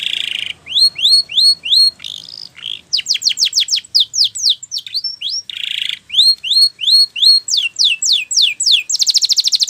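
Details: Spanish Timbrado canary singing a training song: loud, varied high phrases of repeated rising chirps, fast rolling trills and bell-like sweeps, switching tours every second or two, ending in a dense buzzy trill.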